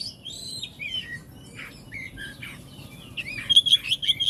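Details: Oriental magpie-robin singing a jumbled stream of high twittering notes and slurred whistles, closing with a quick burst of loud, ringing repeated notes.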